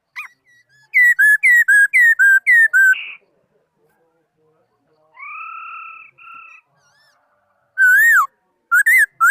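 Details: In this 2018 laughingthrush song, a fast series of seven loud downslurred whistles is followed by a steady two-toned note, then further loud slurred whistles near the end.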